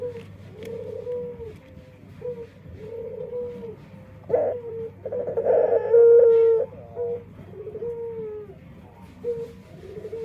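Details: Dove's unusual song: a series of short, soft, hooting tonal notes at a steady pitch, interrupted midway by a louder rough burst and one bright held note.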